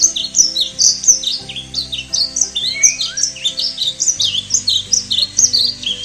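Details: Painted bunting in South Florida after a cold front giving rapid, sharp high chips and short buzzy flight calls, several per second and overlapping, over a faint low hum.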